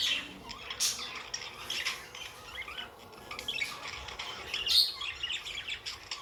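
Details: Softer budgerigar chatter from pet birds, grating chirps and brief squawks spaced irregularly, one loud squeak near the end above a quiet room background.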